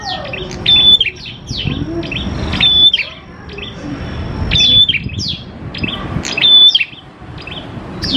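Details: Singing prenjak klawu prinia in a recording used as a lure: repeated bursts of scratchy high chirps, with a strong level whistle in four of them, about every two seconds, over faint low noise.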